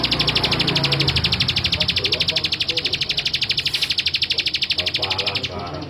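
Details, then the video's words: A male bar-winged prinia sings a fast, even run of dry, buzzy notes, about three a second, for five seconds, while low voices murmur underneath. "Suara Ciblek Sawah Jantan"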